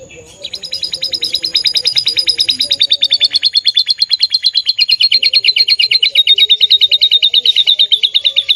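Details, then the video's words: Canary in gacor song: a trill that swells in from quiet to loud within two seconds, then runs on as a fast, regular stream of high chirping notes, slightly descending in pitch. "burung kenari cantik gacor"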